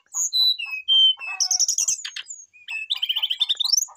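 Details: Brown-chested jungle flycatcher calling a rival in vigorous song: clear whistles falling step by step, a buzzy trill, then a rising chattering run, with soft low pulsed notes ticking steadily underneath.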